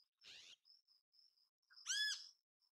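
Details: ['Great kiskadee in natural habitat giving a single loud, harsh, arched squawk after a short rasping burst, with a continuous thin high-pitched whine and faint chirps in the background.']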